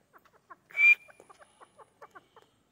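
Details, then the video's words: Grey francolin during training: a series of brief clipped chirps repeated at uneven intervals, broken early by one loud rushing burst with a high whistled streak. "Training Of Gray francolin"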